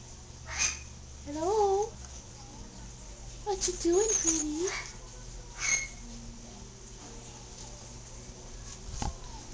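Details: Recently adopted yellow-naped amazon talking to its owner: several short, wavering harmonic word-like phrases spread over ten seconds, separated by soft breathy bursts and low indoor hum.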